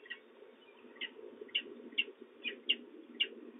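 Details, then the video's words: Young peregrine falcon at a nest box in De Mortel, Netherlands, 31 March 2024 around 15:26, after prey is brought, chitters: sharp, high chips about every half second at an uneven pace, over a low steady hum. "gechitter van jonge valk"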